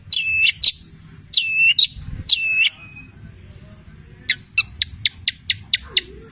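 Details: Long-tailed shrike (cendet) singing with copied labet and canary phrases: three high swooping whistled doublets, a pause, then a string of sharp, evenly spaced clicking chips.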